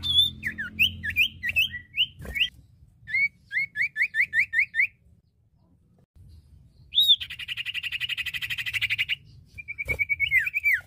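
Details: Lively singing from a male and female common iora: two runs of quick upturned whistled notes, a silent gap, then a sharp note leading into a dense rattling trill and a final falling whistle.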